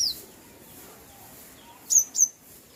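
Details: Bird chirping, with a high thin chirp at the start and then two quick, sharp downward-sliding chirps close together near the end, all over a faint steady background hiss.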